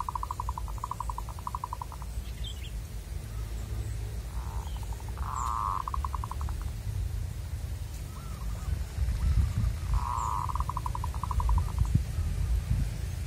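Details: Wild local zebra dove, a target of decoy trapping, delivers three fairly soft phrases of fast, even stuttering coos spaced several seconds apart, with a constant low background hum.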